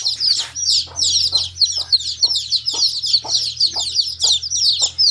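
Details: Chicks keep up a busy chorus of high, thin, downslurred peeps, many birds calling at once, while faint pecking or tapping clicks sound at uneven intervals.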